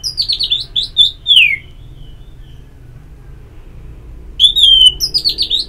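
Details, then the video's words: Orange-headed thrush singing for ngeplong therapy audio: a varied run of loud, fluty whistles and warbled slurs, a pause of about three seconds, then another rich warbling phrase. "Pagi Siang Sore Terapi Ngeplong Untuk ANIS MERAH Malam ya Tidur Merangsang untuk Bunyi"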